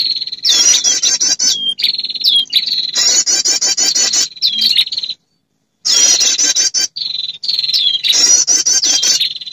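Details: Female prinia calling males, played as a bird lure: repeated loud stuttering high trills, each followed by a flat buzzy note with a hooked end, in two long bouts separated by silence.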